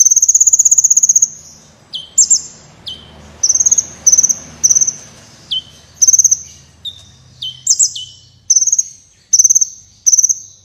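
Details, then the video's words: Kolibri wulung sunbird, a prize-winning, lively singer used as a training recording for competition birds: high, rapid buzzy trills alternate with sharp notes sliding down, repeated in bursts over a quiet background. "Suara Burung Kolibri Gacor Berprestasi (Kolibri Wulung)"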